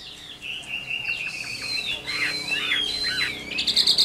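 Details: Chinese hwamei, adult wild-caught and kept caged, sings long slurred whistles and wavering warbles against a steady background hiss, with a burst of quick high notes at the end.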